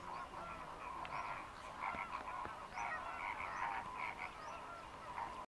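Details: Migrant greater flamingos, over 6000 in the lagoons of Mannar Island, Sri Lanka, in the dry season, chatter non-stop: a dense, overlapping chorus of nasal, goose-like honks and grunts from many birds.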